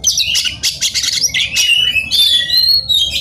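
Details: Oriental magpie-robin singing intensely, agitated and looking for a rival to fight; rapid buzzy chattering bursts leading into sweet rising and level whistles.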